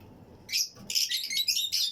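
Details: Fischer's and Lutino lovebirds in a flight colony breeding aviary, chirping among other birds: a brief, close burst of overlapping, harsh, very high squeaky chirps after a short quiet start.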